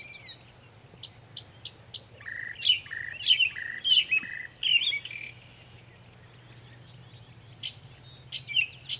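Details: Northern mockingbird mimicking many sounds in Savannah, New York, on 23 May 2021: sharp ticking clicks, a run of flat buzzy notes, then squeaky chirped phrases, falling quiet before a few final calls.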